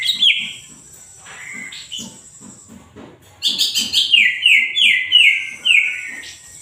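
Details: Greater green leafbird in lively full song: bright whistled phrases that slide and warble high, bursts of sweeping notes with a steady low rhythmic ticking underneath.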